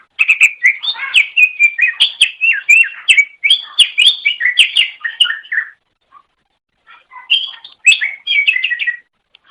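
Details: Greater Green Leafbird giving a long, continuous chattering song on a songbird training master recording: dense, varied slurred whistles and sharp notes for about five seconds, a pause, then a shorter lively burst.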